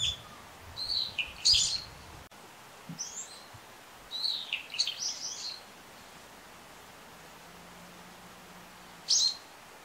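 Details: Brown-eared bulbul calling: harsh screechy phrases in two bursts, then a single sharp high note near the end, against a quiet background.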